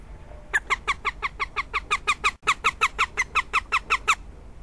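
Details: Northern goshawk recorded in Riga on 15 February 2017, giving a long unbroken run of loud, harsh, evenly spaced kek-like notes, roughly three to four per second, with a brief dropout midway.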